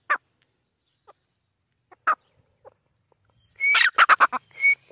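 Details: Grey francolin, called Irani teetar: single sharp notes spaced a second or two apart build into a loud, rapid burst of five or six grating notes with a thin whistled note before and after it.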